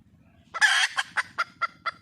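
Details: Junglefowl hen, wild, seeking a male: one loud rasping squawk followed by a slowing series of five separate clucks roughly every quarter second.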